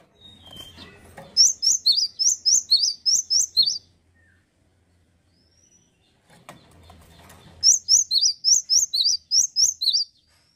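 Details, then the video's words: Male cinereous tit (gelatik batu) singing vigorously: two bursts of bright, high whistled two-note phrases, about eight quick notes each, roughly four per second, separated by a few seconds of near silence. "PECINTA GELATIK BATU PASTI SUKA...GACOR BAGUS PEJANTAN YANG KEREN"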